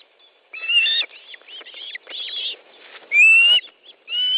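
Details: Osprey at its Estonian nest on 10 July 2013, midday fish delivery: sharp whistled calls, some rising and bending, mixed with softer chirps and one long clear upslurred whistle.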